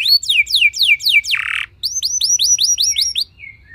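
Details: Lively canary song meant to draw other canaries into singing: a run of descending whistled sweeps, a harsh buzzy burst, a short gap, then a quick series of rising whistled notes fading out.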